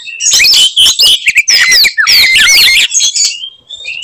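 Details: Oriental magpie-robin singing in a fighting style meant to provoke other magpie-robins into anger: a loud, fast jumble of whistled slurs and harsh buzzy notes, rising and falling sweeps packed densely with short pauses.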